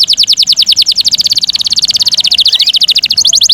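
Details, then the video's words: Canary song played to bring on breeding condition: a fast, high, even trill of rapidly repeated notes runs through the whole passage, shifting to a slightly different note near the end. "pingin kenarimu cepet birahi"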